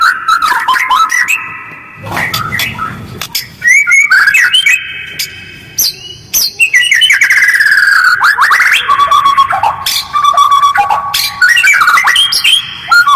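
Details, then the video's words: White-rumped shama used to provoke other birds to respond: a dense, varied stream of fast whistles, slurred glides, trills and harsh notes with tight pauses, in places overlapping and layered. "Jeda rapat, suara kasar dan cepat direspon burung lain, pancingan murai batu"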